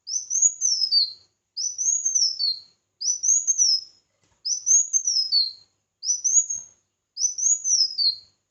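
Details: Competing red-whiskered bulbul repeating its arched whistled phrase six times at a steady pace, each rising then tumbling down, with clean silence between.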